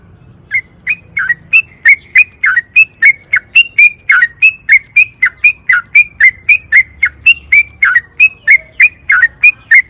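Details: Sooty-headed bulbul giving a long rolling song, used as a lure to set other bulbuls singing. Rapid, steady series of sharp downslurred chirping notes, about three or four a second, runs through all ten seconds with hardly a break.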